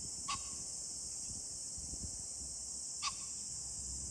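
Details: Two sharp, harsh single notes from a green pheasant roughly three seconds apart, recorded 21 July 2024, with a persistent high shrill drone filling the background.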